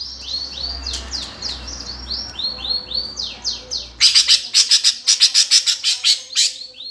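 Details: Fighting song of a greater green leafbird meant to provoke competition birds: high, arched whistled notes in a loose series, then a burst of rapid harsh chattering strokes, with faint low hum beneath.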